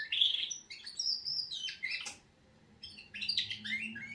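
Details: Canaries performing a wake-up song, bursts of bright trilled and whistled phrases separated by a short quiet pause, then a fresh run of rapid high chirps.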